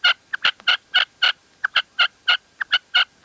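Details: Female red-legged partridge call from La Mancha: a rapid run of short, harsh clucking notes repeated about three to four times per second in uneven groups, loud and clear against a quiet background.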